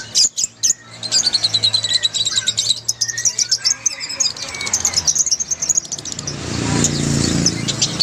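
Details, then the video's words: Chorus of many lovebirds for prompting a lovebird that will not sing: quick, high, bright chirps in a steady stream, ending in a noisier, rushing wash of sound. "SUARA LOVEBIRD OMBYOKAN - PANCINGAN LOVEBIRD MACET BUNYI"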